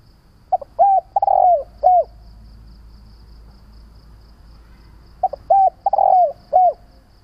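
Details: Calling spotted dove, a recording used to lure and train doves: two quick clipped notes, then a loud sustained coo that falls away and a closing short coo, with the whole phrase returning after a quiet gap of several seconds.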